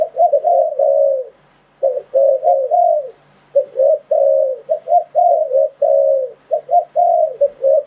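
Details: Spotted dove cooing, a recording used as a lure for trapping wild doves. Dense runs of mellow, low coos, each phrase ending in a longer drawn-out croo, following almost without pause and possibly overlapping.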